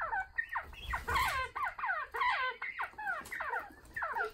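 Northern bobwhites give quick, squeaky, down-slurred chirps, several overlapping birds chattering in a steady run of notes roughly three or four per second.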